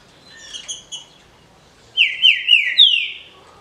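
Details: Green-winged saltator, a legally kept captive bird, in the 'de roda' easy song style: soft introductory notes, then four quick, bright whistles, each slurring downward, delivered at about four per second.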